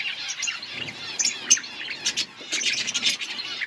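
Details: Many budgerigars in an outdoor colony chattering and twittering continuously, with bursts of louder sharp chirps toward the end.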